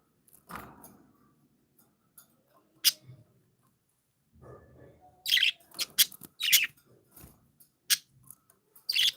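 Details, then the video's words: Pet budgies give scattered sharp chirps among soft thumps and rustling, with a cluster of bright chirps in the middle and more at the end. "Birds sound | Cats tv | Live budgies"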